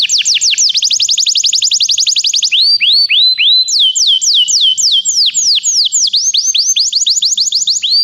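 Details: Canary song meant to get a canary singing: continuous tours of rapidly repeated whistled notes, about three to four per second in slower passages, switching between rising and swooping downslurred phrases without a break.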